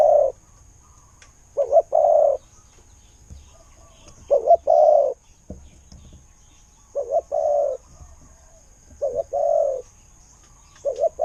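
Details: Spotted dove used as a decoy bird coos in irregular bouts, each a quick doubled note then a drawn-out low coo, with a soft thump between phrases.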